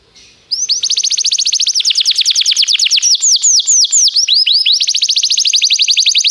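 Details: Training song of a canary, opening after a brief quiet moment into long rapid rolls of repeated downward-sweeping high notes that shift speed and pitch several times without a break.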